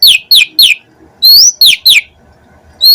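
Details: Asian pied starling singing a run of clear downslurred whistles in quick groups of three, broken by a rising whistled note and a brief pause.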